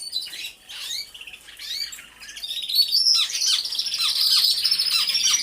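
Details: Several canaries singing together inside an aviary: dense high trills and chirps, quieter and broken at first, then building into a loud, continuous sustained warbling wash in the second half.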